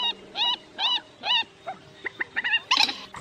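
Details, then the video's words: Waterhen lure calls for night net trapping of migrating birds in August 2024. Nasal, arched, harmonic calls come in a row, followed by shorter clipped notes and a harsh burst at the end. "Tiếng Quốc Mốc , Trích Ré Bẫy Lưới Đêm"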